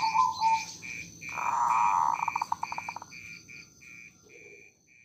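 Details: Zebra dove (perkutut) song in the nritik style called songko buono: a long mellow coo breaking into a fast series of trilled pulses, over steady repeated insect chirping.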